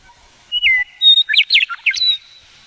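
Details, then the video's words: Western meadowlark song from a male hidden low in sagebrush, Polecat Gulch Trail foothills north of Garden City, April 2017, on a cell phone: a sliding whistled opening, a high pure note, then quick warbled descending notes and a closing whistle. "Western Meadowlark: Two Song Forms"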